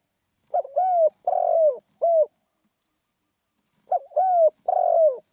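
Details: Spotted dove giving rousing 'khan yon' style cooing. Two low phrases about three seconds apart. Each has a short opening note, a drawn-out coo, a rough buzzy coo and a short closing coo. Quiet background.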